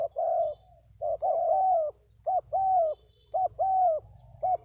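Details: A pair of decoy spotted doves coo in soft, hooting phrases, short then long and gently falling, repeated every second or so over a quiet low hum.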